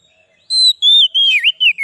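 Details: White-rumped shama song used as a lure for wild birds and to excite caged shamas: a brief series of pure, sustained whistles sliding downward into a looping trill.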